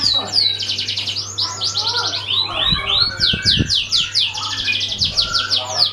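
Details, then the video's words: Canary singing as a lure for other birds: continuous rapid series of high, down-slurred chirps rolling into trills, with some lower twittering and a few soft knocks beneath a steady low hum. "Suara kenari buat pancingan burung lain"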